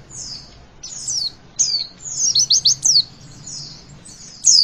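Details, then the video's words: Javan white-eye singing the 'witwit' song to encourage young birds: drawn-out thin downslurred whistles mixed with a short cluster of sharp chirps. "Pleci Bakalan Ikutan WITWIT ga pake lama Bikin Gacor!!!"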